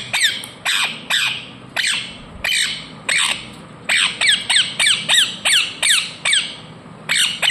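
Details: Pet Indian ringneck parakeet, indoors and chewing at the camera, gives loud, harsh, downward-sweeping squawks, repeated about twice a second, some in quick doubled bursts.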